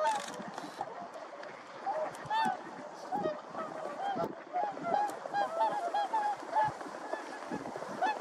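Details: Whooper swans calling and dancing give a chorus of loud, bugling honks, many birds calling over one another at an irregular pace, with some faint voices beneath.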